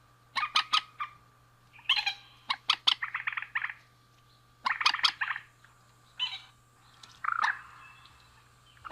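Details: Male and female rail calling. Harsh, rattling bursts come in quick clusters of sharp clicks, some stretched into short grating rolls, separated by brief pauses, over a faint steady background hum.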